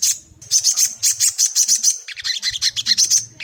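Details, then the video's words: Sogon, a caged bird, played to provoke another caged bird into singing: a loud, fast series of high buzzy chirps repeated about five times a second, with a short pause midway. "Bikin sogon bahan cepat bunyi buka paruh"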